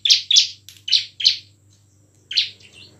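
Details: Bar-winged prinia giving intense lure song meant to provoke lazy ciblek into singing and fighting: four loud, rasping chirps in quick succession, a pause, then one more chirp and a softer trailing note, with a low steady hum behind.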